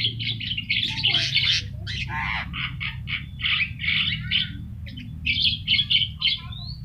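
A Javan myna sings a harsh, squawking chatter in rapid bursts, with a few thin whistled notes. A low hum runs underneath.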